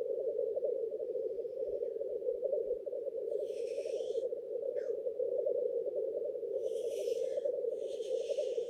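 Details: Black grouse males displaying at their lek: an unbroken low bubbling drone, with loud hissing outbursts at about three seconds and two more near the end.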